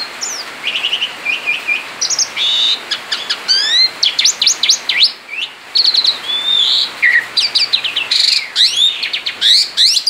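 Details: Male Asian pied starling out of its cage in full 'ngerol' song, a dense stream of upslurred whistles, rapid ticking series, buzzy bursts and squeaky high notes with hardly a pause.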